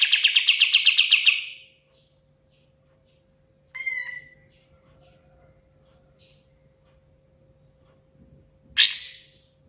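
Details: Lively pied fantail song opens with a fast, loud trill of repeated bright notes lasting over a second. A brief sliding whistle follows after a gap, then a sharp, high burst near the end, with near silence between.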